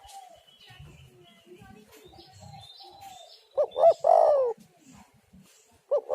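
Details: Spotted dove cooing, used as a lure to draw doves in and set them singing: a loud phrase of low hollow coos near the end, one drawn-out and falling, with another coo just after, over faint chirping birds.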